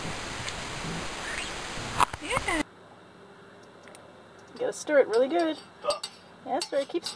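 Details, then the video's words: A pet green-cheeked conure talking and clowning, chattering in quick, speech-like bursts of warbling, bending chirps after a stretch of loud hissing noise. "Funny Talking Green Cheek Conure"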